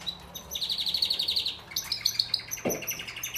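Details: Belgian canary (Serinus canaria domestica), song: preparing females for mating.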